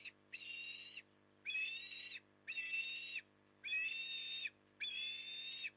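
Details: Evening feeding of an osprey at Port Lincoln, Australia, October 2020: five loud, harsh whistled squeals, each lasting under a second and spaced roughly a second apart, above a constant low background hum.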